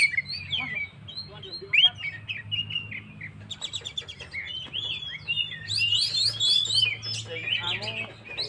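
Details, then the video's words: Oriental magpie-robin song aimed at rousing stressed birds: wandering whistled phrases and harsh chattering bursts, growing denser near the end, with a soft low hum behind. "suara burung Kacer gacor// naikan emosi//pancingan burung stress"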